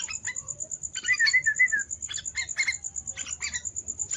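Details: Young yellow-vented bulbul giving a short bubbling warble followed by scattered chirps and scratchy notes. A constant high, thin pulsing tone sounds in the background.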